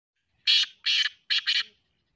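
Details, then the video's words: Black francolin calling, known locally as kala or sindhi teetar; four harsh grating notes in quick sequence, the last two closely paired, with silence around them. "black teetar ki awaz kala teetar ki awaz sindhi teetar ki awaz"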